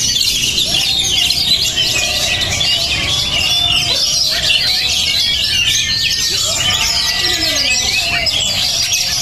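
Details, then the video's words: High-spirited Oriental magpie-robin keeps up fast, shrill whistled phrases and chips while lower, drawn-out tones sound underneath, amid a busy background. "kacer beremosi tinggi dan bermental baja"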